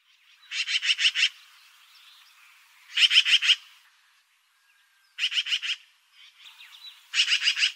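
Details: Eurasian magpie chattering in harsh, grating bursts of four to five quick pulses each, the bursts separated by pauses of roughly two seconds, four bursts in all.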